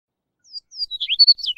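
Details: Chestnut-collared longspur delivering a short, sweet song: thin descending slurs lead into a rapid, jangling warble of bright high notes, finishing on a lower sustained whistle.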